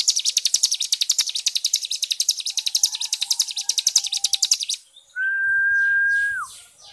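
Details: White-rumped shama master song for training songbirds, dense harsh style: a high, grating rapid-fire rattle of pulses for several seconds, then a brief gap and a single long, steady, pure whistle that drops at its end.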